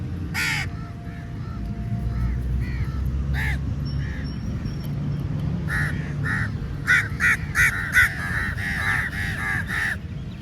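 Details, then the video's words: A large flock of crows descending on food at feeding time; harsh cawing bursts that come in loose clusters, thickening into rapid overlapping caws toward the end, over a constant low rumbling background. "Crow Sounds Very Loudly"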